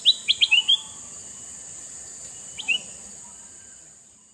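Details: Sooty-headed bulbul, a red-eyed male used to attract wild bulbuls, singing a quick phrase of four bright chirps that falls away, then a brief two-note reply after a pause, with a constant high drone behind.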